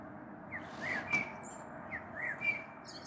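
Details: Common blackbird, evening of 21 April 2022, recorded from a balcony ahead of a possible storm; two sparse song phrases of clear whistled notes sliding up and down, separated by about a second of quiet hiss.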